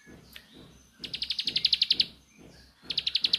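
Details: Bar-winged prinia (ciblek sawah) singing in the rapid 'nembak' style: two bursts of fast, sharp, ticking notes, about a dozen evenly spaced clicks in under a second each, growing louder, separated by a short pause with faint background noise.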